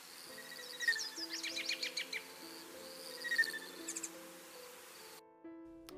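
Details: A male Black-chinned Hummingbird makes its display sound: two bursts of high, dry, rapid chittering ticks about two seconds apart, over a low, steady musical hum.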